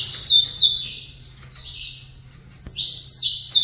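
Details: Short, loud saffron finch phrase, with sweeping falling chirps, a held high whistle, then a fresh flurry of bright notes. Sung by a bird placed in front of another saffron finch, over a soft constant hum.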